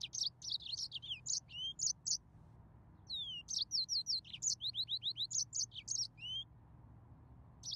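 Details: Song of a yellow-fronted canary, with bright, high, varied phrases of quick chirps and falling whistled slurs in two dense bursts separated by a brief silence, against a soft steady low hum.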